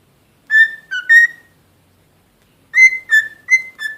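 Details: A pet cockatiel gives clear, pure whistled notes in short phrases, two then four, slightly rising and falling.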